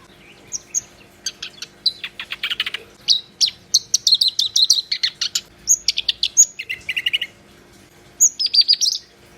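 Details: Black-browed reed warbler in long, lively song, mixing sharp high whistles, dry rattling bursts and harsh buzzy chatter in a near-continuous varied stream, with brief pauses between phrases.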